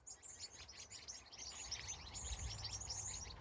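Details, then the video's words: California evening at sunset: a faint chorus of rapid, high chirps starting quietly, then filling in with many overlapping birds over low background noise. "Sunset, Bird Sounds"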